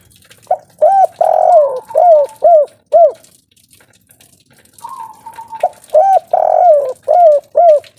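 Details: Spotted dove of local stock giving a loud kuk 3 cooing song: bursts of rapid hooked coos, some stretched and throaty, a pause, then a drawn whistled note leading into another quick run of coos.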